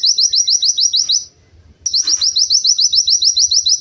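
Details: White-eye, called pleci, singing a quick, regular train of short high upslurred whistles, interrupted by a brief pause and a soft rustling noise, then continuing at the same brisk pace.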